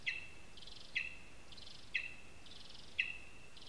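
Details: Lesser spotted eagle filmed live at its spruce nest in Zemgale, Latvia; clipped high yelps repeat roughly once a second, each with a long level ringing tail and buzzy upper band, steady hiss behind.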